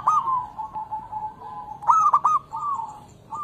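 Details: Local zebra dove singing, a recording meant to prompt reluctant doves to sing: a long quavering purring note, then quick stuttering clicks and short high coos, over a low background hum.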